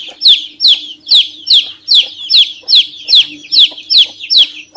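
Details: Chick peeping a lot, loud high descending peeps delivered rapidly and regularly, roughly two to three each second, with faint low hum in the background.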